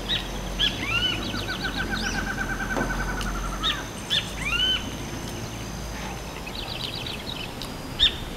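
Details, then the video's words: Barred antshrike singing a quick, accelerating run of nasal, hooting notes, with higher chirps from other birds and a steady background hiss around it. "Choca-barrada cantando"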